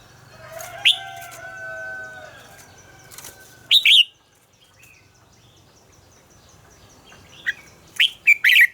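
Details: Red-whiskered bulbul singing a morning training song in the mature wild-style double-note manner: sharp whistled phrases near the start, middle and end, with faint drawn-out tonal notes early on and quiet pauses between.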